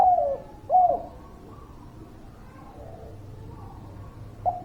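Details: Zebra dove song used as a lure to get reluctant birds singing: two clear, mid-pitched falling coos in quick succession, then quieter coos over a low hum, with a final short coo at the end.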